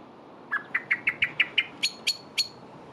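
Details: A male blackbird, fluttering his wings as he calls, gives about eleven quick, sharp chirps in two seconds, rising from mid to high pitch, with a faint steady hiss behind.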